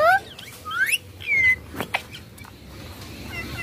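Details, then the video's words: Green ringneck parrot kept as a pet, talking while playing with a mobile phone: a few short rising whistled sweeps with rich harmonics, one flat drawn-out tone, sharp clicks, then faint softer wavering notes near the end. "Ringneck Green Parrot talking"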